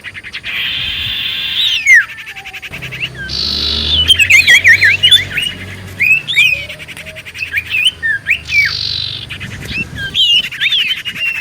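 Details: Common iora in lively full song, used as a lure to provoke replies: wavy whistled notes swooping between mid and high pitch, interleaved with harsh buzzy bursts and rapid chattering, with a low hum underneath.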